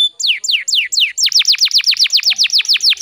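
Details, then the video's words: Canary giving a fast, tightly packed song used as a tutor recording: a rapid, even series of about fifteen high down-slurred whistled notes, roughly five per second. "PANCINGAN SUARA BURUNG KENARI GACOR SPEED RAPAT"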